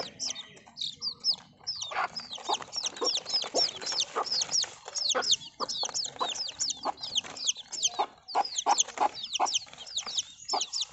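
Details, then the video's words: Many baby chicks peeping at once, rapid high downward-sliding cheeps repeating almost without pause, a steady, bright chorus of overlapping calls. "Cute Baby Chicken Sounds"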